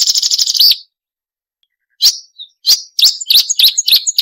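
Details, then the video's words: Marsh warbler song used for training songbirds: a quick chattering burst, a pause of over a second, then sharp, varied, high twittering notes. "Masteran Burung Suara Tajam - Masteran Nembak Tajam - Mars Warbler"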